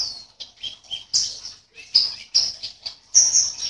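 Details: Short excerpt of a caged contest white-eye from Sambas, West Kalimantan, Indonesia: separate high chirps and slurred whistled notes, some dipping lower, spaced unevenly, ending in a sustained bright trill.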